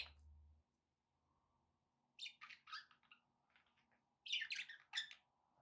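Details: Budgies kept as pets give scratchy, warbling chirps in two clusters separated by a quiet pause. Soft low background noise can be heard at the start.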